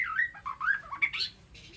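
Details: A short, fluid warble from a White-rumped shama in an aviary, calling to the flock: slurred notes gliding up and down through middle pitches before a higher closing flourish.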